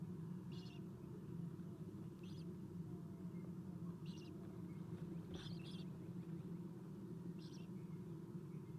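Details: Feeding time for Eastern Screech-Owl owlets in their nest box, 7:04 am, 4-11-2016. Short high squeaky bursts repeat about every 1.5 to 2 seconds over a continuous low hum.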